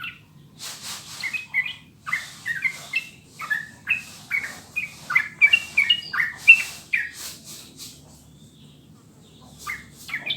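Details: Sooty-headed bulbul singing for a master recording meant to get caged birds singing: a series of bright, bubbly whistled phrases at a steady pace, pausing briefly before resuming. The background is quiet.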